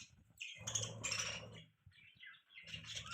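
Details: Soft budgie chirping: short scratchy twitters and thin high notes come in irregular bursts, with low rumbling and rustling beneath.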